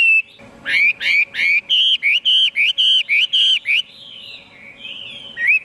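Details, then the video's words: Chinese hwamei delivering a fast run of bright, bell-like whistled notes, about a dozen in under four seconds, then softer wandering whistles and one final rising note, a faint hum beneath. "tiếng chim hoạ mi hót cực hay"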